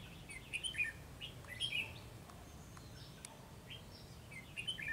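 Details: Red-whiskered bulbul singing from a treetop: short, bright, warbled phrases rising and falling, repeated in bursts about a second apart, with quiet gaps and a faint low background hum.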